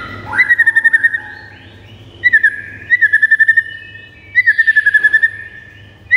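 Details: Shama song from a recording meant to make pet white-rumped shamas sing aggressively: three short bursts, each a fast rattling trill of about eight notes held on one pitch, spaced roughly two seconds apart, with a soft background hum.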